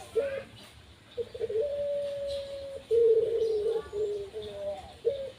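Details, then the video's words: Kept Barbary dove giving a run of low cooing phrases: short hooted notes and long, even, drawn-out purring coos with brief gaps, ending on a clipped note; faint voices in the background. "Burung puterku manggung"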